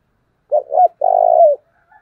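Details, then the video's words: Decoy spotted dove call meant to stir up wild birds: a pair of quick throaty coos followed by one drawn-out, vibrating croo that falls slightly at the end, clean and loud. "Cu mồi thúc vầy chịu gì nổi"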